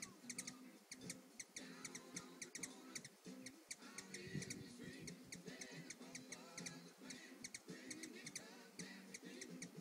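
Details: Backyard hummingbird drinking and singing on a patio, giving dense runs of rapid, high clicking chips, often doubled, almost without pause, with a continuous low humming and rustling background.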